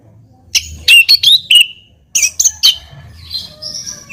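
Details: White-rumped shama song used as a lure to provoke a response: sharp whistled notes and bright chirps in two bursts, with a dry buzzy phrase trailing off at the end.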